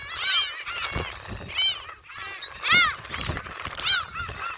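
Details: Gulls being fed shrimp snacks at Jebudo, Korea: loud nasal mewing cries that rise and fall, given in clustered groups of several calls with brief gaps, some longer drawn-out wails.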